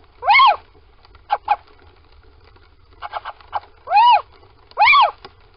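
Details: Little owl at a nest box in Sprundel, 13 February 2020, morning, as a pair goes inside: loud arched, harmonic mewing calls rising then falling, three strong ones with softer shorter notes between, over faint ticking and low rumble.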